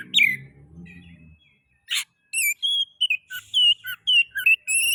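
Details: Magpie-robin (kacer) song played to trigger singing in other magpie-robins: after a low rumbling noise, a burst of rasp, then clear whistled phrases that rise and fall in quick succession.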